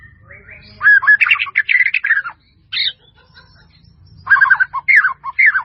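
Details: White-rumped shama giving a melodious, fully varied song. Dense bursts of tumbling whistles and chattering trills alternate with a lone sharp high note, then a renewed series of slurred, downward-sweeping phrases.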